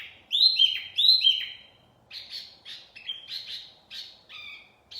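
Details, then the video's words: Wambi mini singing as a bird lure: two loud upward-swept whistles followed by a varied run of buzzy, chattering high notes at a quick, uneven pace. "Kicauan Wambi Mini Pikat Gacor"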